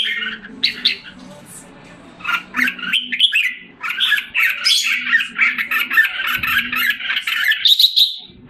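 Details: Caged red-whiskered bulbul in Singapore, July 2017, regaining form after molting: dense, busy chattering warble with rapid squawky notes in bursts, over a steady low hum.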